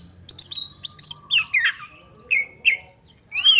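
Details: Female oriental magpie-robin calling as a lure to make males quickly agitated, open their tails and fight: sharp high chirps, then slurred whistles sliding down, a long pause and a final buzzy rising note, against a quiet background.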